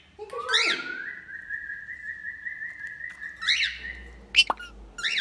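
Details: Male and female cockatiels singing while taking a bath: one long sustained whistled note lasting over two seconds, framed by sharp chirps, with a short clipped call near the end.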